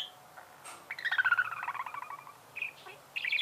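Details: Domestic budgerigar giving a quick run of pulsed chirps that slide gently downward, followed by a couple of brief squeaky notes, over a low background hum.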